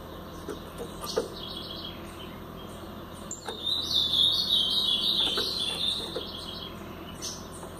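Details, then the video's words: Blue-black grosbeak, brown-plumaged, singing in the Paraná style: a sweet warbled phrase of nearly two seconds amid background hiss, with scattered faint chirps and a few clicks before and after. "Azulão Paraná pardo"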